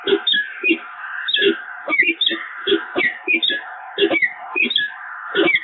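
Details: Pair of peregrine falcons at the Evoluon nest site, bonding on 7 March 2022, giving grating, wailing calls in quick clusters, drawn-out harsh notes alternating with short clipped ones, steady and loud throughout.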